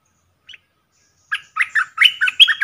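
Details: Streak-eared bulbul, a caged decoy bird calling to a wild bird that flies around but won't come down: one short chirp, then a quick run of harsh, bubbly, fairly high chattering notes, several per second.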